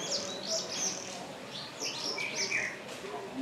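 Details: Wire-tailed swallows on the roof of a lodge's rear block in Pangani, Tanzania, giving a rapid series of high, thin chirps and short twitters, some rising and some falling, over a steady background hiss.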